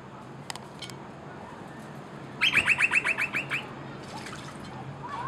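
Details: Noisy miner (Manorina melanocephala) in Australia, frolicking and bathing on a verandah. It gives a loud burst of about nine harsh, strident notes in quick succession, with a few faint chips before and after over steady background hiss.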